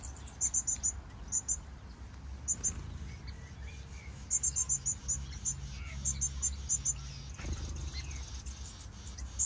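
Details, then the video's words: Gouldian finch chick begging for food near a pair drinking water: very high, thin, clipped notes in quick bursts of three to five over a low steady rumble. "chick wants food"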